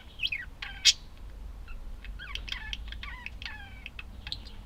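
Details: Budgies trading varied calls: a sharp loud squawk early, then wavering whistled notes, trilled squeaks and short tonal chirps in an irregular, conversational stream.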